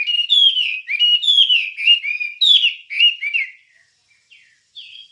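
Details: Wambie song for training cage songbirds: bright, slurred whistles and quick twittering phrases for three seconds, then fading to near silence and a single short note at the end.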